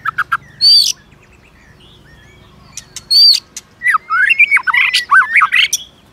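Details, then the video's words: White-rumped shama singing a many-voiced song meant to provoke other shamas into fighting. It gives clicks and short sharp bursts, then a fast varied run of warbled, buzzy and whistled notes. "Chòe lửa kích lửa CỰC HAY-NHIỀU GIỌNG ,tạch liên tục đập đuôi kích chòe lửa lên lửa hót đấu"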